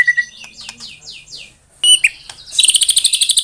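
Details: A short white-rumped shama passage of tembakan rapat song: a few clear whistles, a run of descending slurs, a sharp loud note, then a rapid high buzzing trill.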